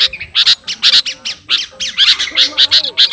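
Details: Singing to a rival, a sooty-headed bulbul ('kutilang garuda') gives loud, sharp paired chirps in quick succession, separated by brief pauses, with a faint lower whistle near the end.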